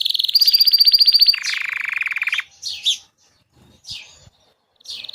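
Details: Gray Belgian canary song meant to encourage a pet canary to sing: a high rapid trill drops into a lower buzzy roll for about a second, then short chirps and soft notes follow after brief pauses.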